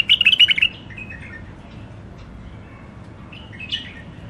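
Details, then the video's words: Hybrid finch in its first isolation, giving a short burst of rapid, bright chirping twitters lasting under a second, then near silence with a faint brief chirp near the end over a low background hum. "تغريد مخاليف وحشيه كاع منفذ مندلي اول عزله"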